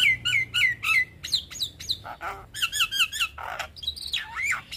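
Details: Javan myna song used as a master recording for training young birds: rapid series of whistled, down-slurred notes repeated about three per second, mixed with harsh chattering bursts and a final wavering whistle.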